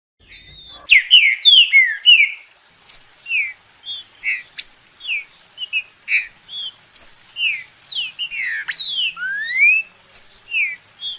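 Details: Green-winged saltator song played to get a bird singing: a loud opening run of slurred whistled notes near one second, then a long varied series of short clear whistles and rising slurs, roughly three per second, sharp and bright.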